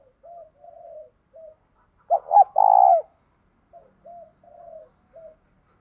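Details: Spotted dove calling in the morning to attract wild doves, 'thổ' voice mixed with 'thúc gù'. Gentle low coos build to two quick accented notes and a loud prolonged coo, then soft coos resume.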